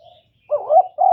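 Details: Decoy spotted dove calling to draw in wild doves: a quick rising-and-falling double coo that runs into a fuller, steady coo. The sound is clear, with no other noise.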